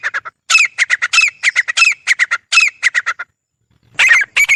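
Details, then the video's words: Grey francolin pair calling: a quick run of loud, harsh, ringing notes with overlapping voices, pausing briefly before two more strong notes. "Grey Francolin Pair Voice | Francolin Haunting Sounds| Teetar ki Awaaz"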